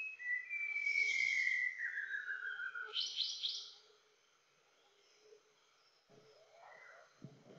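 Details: White-browed shama (Copsychus luzoniensis), a Philippine endemic resident of Greater Luzon, sings a long clear whistle sliding down over two seconds, then a quick burst of high, buzzy trills, followed by quiet and faint rustling.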